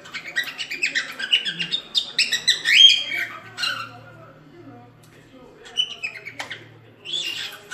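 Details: Cockatiel song played for teaching cockatiels to sing: bursts of chirpy, warbling notes and harsh chatter for about three seconds, a quiet pause, then short squeaky phrases returning toward the end.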